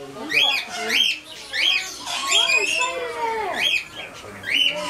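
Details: Cockatiel calling: harsh, rasping squawks roughly once a second, each with a bright rising-falling upper note, and a run of curving lower whistled tones in the middle.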